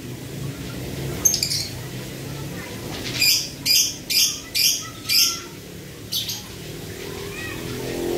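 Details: Breeding-condition male lovebird 'ngetik', its rapid calls compared to lato-lato toy clackers: a couple of scattered high chirps, then five loud, sharp, evenly spaced clicking bursts in quick succession, with a faint low hum.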